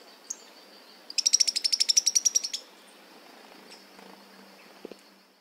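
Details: Sharp-billed treehunter, a South American ovenbird, giving a fast run of about fifteen high, sharp, evenly spaced notes lasting under two seconds, with a faint steady hiss behind.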